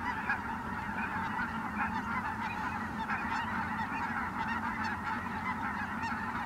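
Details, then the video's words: Incoming Ross's geese at Merced National Wildlife Refuge, 22 December 2017, call together in a thick, uninterrupted chorus of high, nasal yelps. "Ross's Geese Flying In at Merced National Wildlife Refuge (12-22-2017)"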